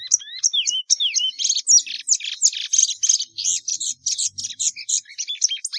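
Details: Plumbeous seedeater singing a long continuous song of fast, varied high notes: whistled upslurs and downslurs mixed with buzzy chirps, delivered without pause for several seconds; faint low sounds beneath.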